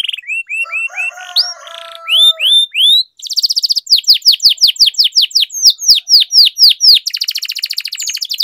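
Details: Canary singing long rolls for training young canaries: short rising whistles and slurred notes open the phrase, followed by loud repeated high downswept notes and a final dense fast trill.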